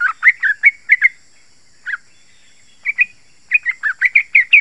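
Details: Yellow-vented bulbul in sharp, dense song used to lure others: a fast run of bubbly notes, isolated single notes, then a lively rapid string of warbled phrases.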